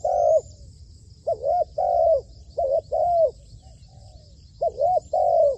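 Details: Caged decoy spotted dove in training on a rooftop, uttering repeated low cooing phrases of looping short coos and longer falling coos, with a soft trailing coo and a gap between bursts.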